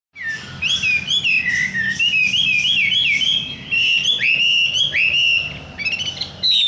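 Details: Wambi bird singing vigorously: a lively run of clear whistled chirps and slurred notes, rising and falling, delivered almost without pause, with short bright upsweeps near the end.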